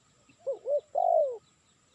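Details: Spotted dove lure call: one phrase of two soft, short rising-falling notes, then a loud, long coo sliding downward.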